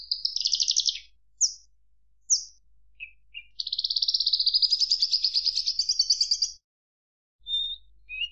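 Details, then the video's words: Javan bush lark singing: rapid buzzy trills and short high whistles, then a long rolling trill that rises slightly for about three seconds, ending with a few thin notes; no other sounds. "Suara Kicau Burung Branjangan"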